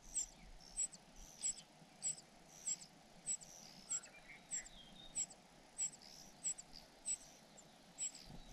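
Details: Parasitic cuckoo chick begging for food from its foster parents: thin, very high squeaks repeated steadily about every 0.6 seconds through the whole stretch, over faint background hiss.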